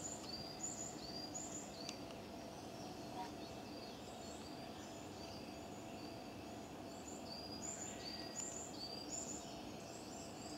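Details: A Varied tit carrying nesting material near a suspected nest in a stone lantern keeps giving alarm calls: thin, high arched notes in quick runs, over steady low background noise.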